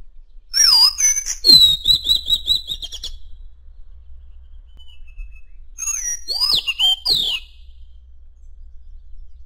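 Madagascar magpie-robin singing two bursts of varied, clear whistles with sweeping and warbled notes, including a brief buzzy trill, separated by a pause.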